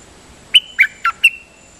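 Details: Dok taeng bird singing a decoy song (Thai 'siang to'). A quick phrase of four sharp notes, each with a brief pure whistled tail, sounds over a quiet background with a faint steady high hiss.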